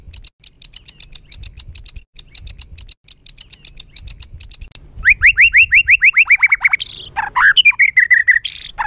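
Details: White-rumped shama, full of emotion, in a rough song used to stir other birds: a long run of quick high chips, then a series of falling whistled slurs and harsh grating notes.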